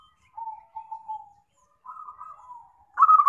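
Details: Zebra dove sound used to lure birds for trapping: low soft purring notes, a slightly higher rolled phrase, then the start of a loud stuttering coo.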